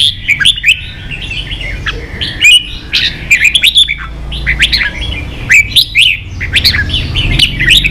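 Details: Red-whiskered bulbul in a singing contest, caged: dense, excited chatter of whistled and slurred notes, several bursts crowding together, over a faint low hum.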